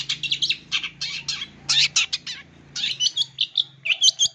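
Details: Lure sound for wild-caught young long-tailed shrikes: rapid scratchy chatter and buzzy bursts, then a series of quick bright whistled notes and twangy chirps in the last seconds.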